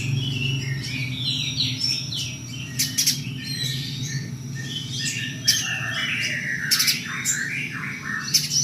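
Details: Spiderhunter, locally called pijantung gunung, singing amid strong low hum: varied high whistled and slurred phrases, some falling, mixed with sharp squawky notes and short clicks scattered throughout.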